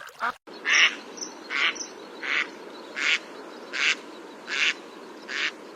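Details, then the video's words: Single duck on a pond quacking steadily, one short nasal quack roughly every three quarters of a second, seven or eight in a row over a soft background hiss. "PATOS- SOM DE PATO- DUCK SOUND"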